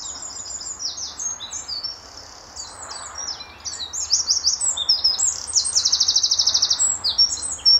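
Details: Lively Eurasian wren at Standalone Farm, Letchworth, early morning in March 2014, calling very loudly and answering a neighbouring wren across territories; a fast, high, sharp stream of notes and rattling trills, with a long buzzy trill near the end.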